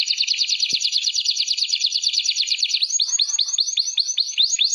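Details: Canary song for training other birds: a fast rolling buzzy trill that switches after about three seconds to a series of slower, repeated descending whistled notes.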